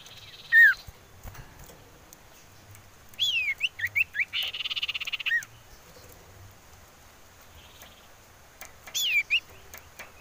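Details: Common iora, a female calling in the wild, used as a lure: a loud downslurred whistle, then wavering whistled notes with a buzzy trill, and a final burst of looping whistles.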